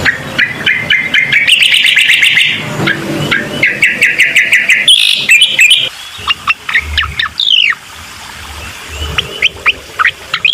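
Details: Bar-winged prinia, played to stir a quiet bird into song: dense rattling trills and buzzy strokes giving way to sharp, sweeping whistled notes, loud and busy throughout.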